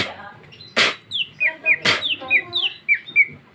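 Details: Female cucak ijo (greater green leafbird) singing in ngeplong style with rich isian phrases, recorded 2021: short bright whistled slurs around one pitch band, broken by two loud harsh rasping bursts.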